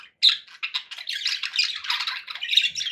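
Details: Cheerful pet budgie chatter: a sharp opening chirp then continuous grating, warbled notes tumbling together without a break.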